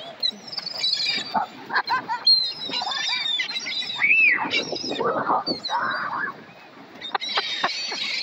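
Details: Several seagulls fighting over a piece of bread that one gull grabbed: a dense, overlapping chorus of harsh, squawking calls and rising-and-falling wails, with short sharp notes scattered throughout and brief quieter gaps.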